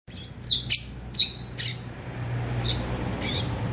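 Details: Greater green leafbird, prepared for song contests, giving sharp, high chirps and short falling whistles in scattered bursts, with a low steady hum underneath.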